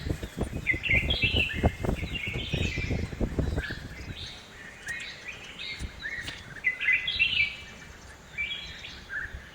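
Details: Red-whiskered bulbul in a home garden in Hosur: bright, chirpy multi-note phrases repeated in quick succession, over a steady low rumble with some thumping noise early on.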